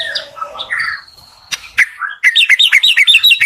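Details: White-rumped shama morning song to encourage quiet shamas: soft warbled notes and a thin steady whistle, a sharp click, then about ten quick, evenly repeated bright chirping notes.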